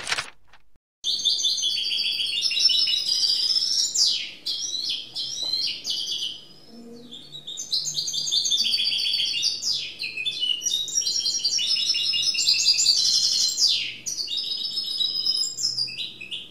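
A goldfinch mule sings a long, fast, twittering song of bright chirps and trills.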